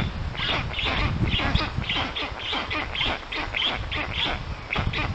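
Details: At a black stork nest in Puszcza Notecka, Poland, 13 June 2019, during a strange stork's visit to the storklets: dense, rapid series of rough, hissing calls, with low rumbling noise underneath.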